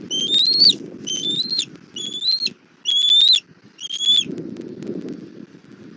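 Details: Bald eagles at a Southwest Florida nest, 17:30 on 1 April 2024, mother bringing the chick dinner: five high whistled notes, each rising then dropping sharply, almost one a second, then only rustling.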